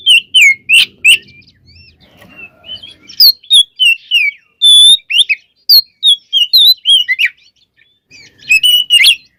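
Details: White-rumped shama lure song for stirring other shamas to sing: long sequence of loud, varied whistles and chirps, a quieter middle stretch with faint background noise, then renewed bursts.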